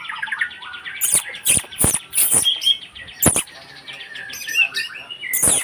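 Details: White-rumped shama (murai batu) singing a varied phrase of short whistled notes and trills, broken by sharp broadband clicks and snaps at irregular intervals.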